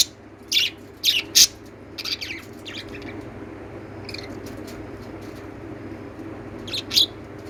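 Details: Lovebird chirps in a quick trio of bright, shrill notes, followed by softer scattered twitters and one louder chirp near the close, with a faint hum throughout.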